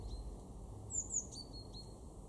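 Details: Great tit in a garden in Weener, East Frisia, northwest Germany, in December 2023 gives a few thin, very high notes that slide down to a lower, slightly longer whistle, over a steady low rumble of background noise.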